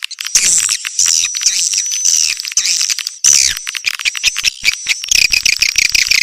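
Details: Swiftlet lure-call recording, clean and noise-free: continuous high chattering and thin trills, with a brief break midway, then fast ticking clicks mixed with chirps.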